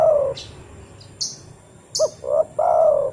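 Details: Spotted dove lure call: the end of one long coo, then a full phrase of two short low notes and a long falling coo, with faint high chirps in the background.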